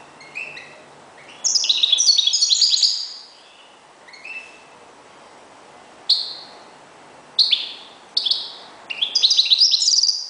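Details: Kept European goldfinch used as a decoy bird, singing bursts of bright twittering, tinkling phrases high in pitch, separated by short pauses, with sharp single chirps between them.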